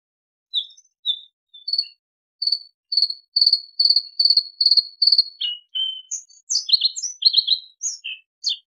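A Bluethroat sings a run of high, clear repeated notes that speed up, then breaks into a quick jumble of varied chirps and twangs. No other sounds are heard.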